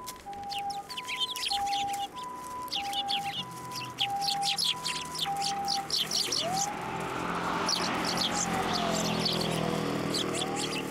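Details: Sparrows gathering on a sidewalk curb to be fed at a Tenmangu shrine on 11 January 2024; quick, bright chirps tumble over one another for six seconds beside an alternating two-tone electronic signal, then a rushing vehicle drowns them.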